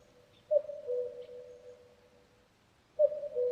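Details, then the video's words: Common cuckoo giving its two-note cu-coo, a higher first note dropping to a lower second, each with a long ringing, echoing tail; two calls about two and a half seconds apart in a quiet setting. "Cuckoo Bird Sound"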